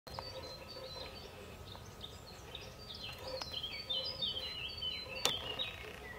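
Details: Pied avocets at the Soča river mouth on 21 May 2022 give clear, high fluty notes, several birds overlapping in quick succession over a steady hiss of wind and distant noise.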